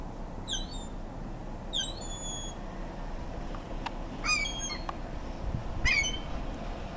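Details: Gulls, ringtip and Iceland gulls, in a feeding frenzy with a large gull fighting others over food; spaced short harmonic squealing calls in small bursts, several sharp clicks, steady background hiss.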